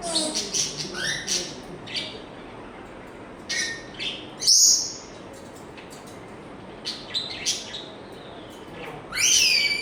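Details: African grey parrot producing varied sound effects: scattered sharp chirps, sweeping whistles and a loud high pure note, with pauses between bursts and a final rising-falling whistle.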